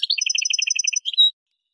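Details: European goldfinch (Carduelis carduelis parva) recorded at Kaf el Hammam, Souk Ahras, Algeria, singing a quick, even run of about a dozen bright twittering notes, then a short trill and a thin, high sustained note.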